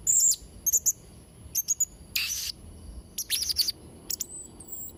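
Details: High, thin whistles and a hissy buzz from a Blue-crowned hanging parrot, followed by clusters of sharp descending chirps; used for training young birds.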